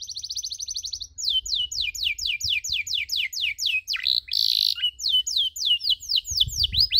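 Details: Canary training song for young learners of the cuit-cuit chirp: a rapid buzzy trill, then long even series of loud downward-sweeping chirps about three per second, broken by one short harsh burst.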